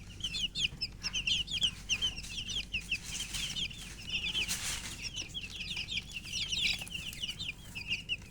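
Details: Thirsty baby chickens in poultry keeping peep continuously: high, short whistled notes tumbling over one another in a steady flock chorus, broken by a soft rushing burst midway.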